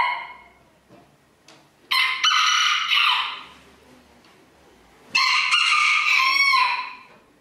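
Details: Rooster in a 2022 crowing contest at Villers-la-Ville: two loud harmonic crows about three seconds apart, each with a stuttered start and lasting over a second, with quiet background between.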